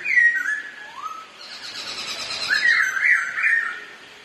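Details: Two black-throated laughingthrushes kept as cage birds sing against each other and dance, with falling and rising whistles, a chattering pause, then a run of warbled, wavering whistled phrases.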